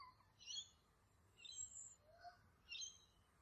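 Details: Two young male Australian lyrebirds squabbling over territory trade bursts of harsh, buzzy, high-pitched notes about once a second, with a few short whistled slides between them, over a quiet background.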